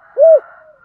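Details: Spotted dove cooing in the thúc gù style with a deep, earthy voice: one short, low, rounded hooting note rising and falling, followed by a faint lingering echo.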